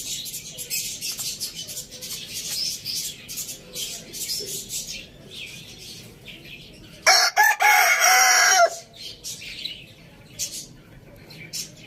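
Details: Rooster at a village farm crowing once, a loud harsh crow of under two seconds, set against a steady background of high chirping and twittering from many small birds before and after.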